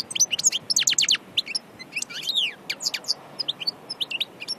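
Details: European goldfinch of the Annaba strain from Aïn Barbar, Algeria, described as pure from nature, singing a fast run of high twittering notes, sharp rising and falling chirps and liquid trills in quick bursts, against a quiet background.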